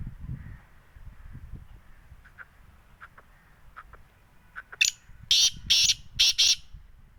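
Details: Black francolin, called kala teetar, in Sindh, Pakistan. A few faint clicks lead into a loud run of five or six harsh, rasping, grating notes delivered rapidly, with soft low background noise.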